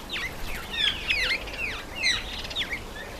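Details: Red-faced mousebird (Urocolius indicus) visiting a birdbath, with a run of falling whistled notes, some doubled, repeated every few tenths of a second.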